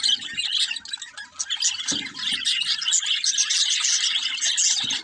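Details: Budgerigars kept as pets chattering in steady high twittering and chirps, with faint low thumps underneath.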